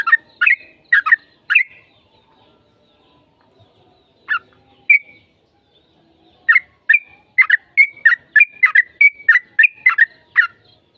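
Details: Energetic yellow-vented bulbul song meant to spur another bird to reply: scattered liquid chirps, then a fast run of rollicking bubbly notes, about a dozen in quick succession, clean background.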